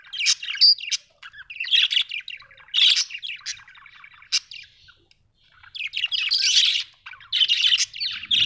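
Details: Happy budgerigar producing rapid chattering warbles in bursts, raspy and squeaky notes mixed with sharp clicks, a quieter stretch in the middle before lively chatter resumes.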